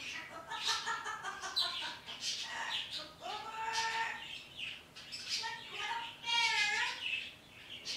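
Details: Pet parrot talking to wild birds outside in the morning, with chattering, speech-like sounds and clear whistled notes, some rising and some sliding, over a steady hiss of background noise.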